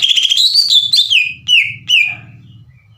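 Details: Caged green leafbird in full song, kept by Indonesian bird hobbyists and played to provoke other leafbirds into singing and answering; loud, rich whistled phrases sliding and falling, with sharp chirps, over a faint low rumble.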